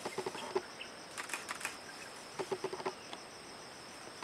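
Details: Bar-backed partridge calling at the forest edge of Kaeng Krachan National Park on 19 March 2012, giving brief low hoots in small bunches among rustling taps, with a constant high insect drone behind.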